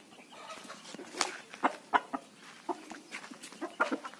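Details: Desi rooster, a native country chicken, giving irregular short clucks over a low background murmur, some louder sharp notes spaced about half a second apart with softer ones in between.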